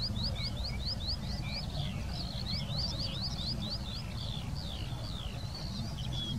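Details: Skylark song recorded in the Wittlicher Senke, delivered as rapid repeated buzzy upslurred chips that run into twittering trills and a final thin whistle, continuous throughout, with a constant low background rumble.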